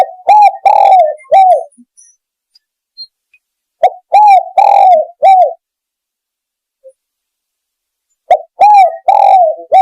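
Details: Spotted dove cooing used as a lure for hunting doves: repeated phrases of four or five coos, short and clipped, then a drawn-out rolling coo and a falling end note, with several-second gaps between phrases.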